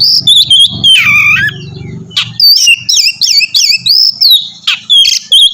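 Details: Oriental magpie-robin sings to coax another into song: sliding whistles and a low rumbling noise at first, then a fast, regular series of looping high whistled notes.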